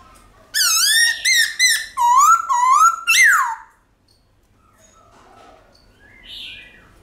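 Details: Black-throated laughingthrush singing in a forest-style voice, used to spur kept birds into song: a loud run of rich whistled phrases, rising and falling slurs, over about three seconds, then near silence with faint background sounds.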